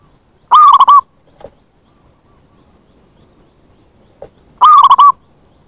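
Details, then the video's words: Recorded zebra dove calling to lure wild birds: a short trilled coo of quick pulsed notes, a long pause with faint soft ticks, then the same rolling phrase again. "Pancingan bunyi + pemanggil perkutut liar"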